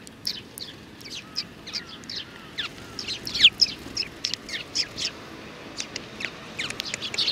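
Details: A flock of sparrows, including little youngsters, on 27 June 2019, chirping steadily: many thin, high tweets overlap, with one louder downward-sweeping note near the middle and a few soft, lower curved notes early on.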